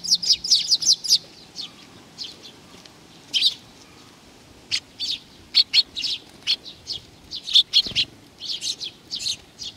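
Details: Sparrows coming for food at Tenmangu in Nakanoshima on 7 June 2020 fire off rapid high chirps at the start. Sparser tweets follow, then a renewed burst late on.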